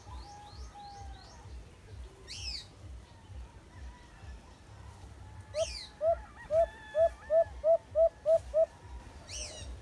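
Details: A White-eared Brown Dove recorded at a cage trap gives about nine short, mid-pitched hooting notes, evenly spaced and quickening slightly, over a low rumble and sharp chirps from other birds.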